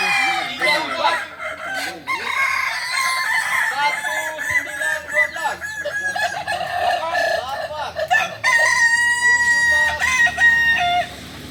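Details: Many kokok balenggek cocks crowing at a group practice in Solok, a dense tangle of wavering crows, then near the end one long steady drawn-out crow rises clearly above the rest for about two seconds.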